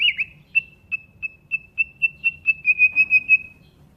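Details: Nightingale repeating one pure whistled note about fourteen times. The notes come slowly at first, then faster toward the end of the phrase, all on an even pitch.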